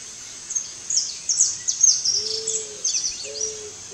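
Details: Eared dove: two drawn-out, low, steady cooing notes and the start of a third, against a lively background of high-pitched twittering birds.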